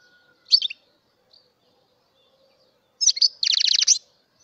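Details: Mutation European goldfinch singing: a short bright twittered phrase, a faint note, then after a pause a clear twitter running into a fast series of buzzy, descending trill notes, in a quiet setting.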